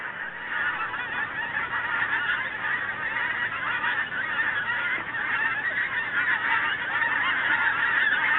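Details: Geese flying south as winter approaches, a dense chorus of many overlapping honks forming a continuous nasal clamour, growing louder toward the end.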